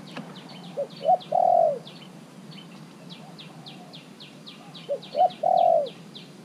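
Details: Caged spotted dove, three months in captivity, used as a decoy to call wild doves in, singing low hollow coos: two short rising notes then a long drawn-out coo, phrase repeated twice, with thin high chirps of other birds behind.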